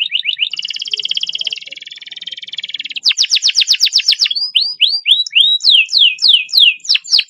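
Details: Canary song used as a training model, with fast, long rolls: a rapid trill near the start, a sustained buzzy roll, then a run of quick repeated notes and clear downward-sweeping whistled phrases repeated about every half second.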